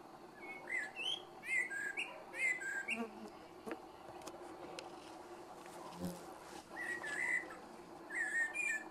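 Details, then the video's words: A common blackbird sings a calm, unhurried evening song of mellow, fluted warbling phrases ending in thin, high twitters, with a quiet pause midway, over a low steady hum; mosquitoes, a goldfinch and a sparrow may be heard. "Чёрный дрозд вечерняя песня!"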